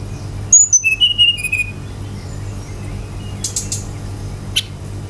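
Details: Brown-chested jungle flycatcher song meant to provoke other birds: a fast cascade of sharp whistles stepping down in pitch, then quiet hiss broken by a few faint distant chips.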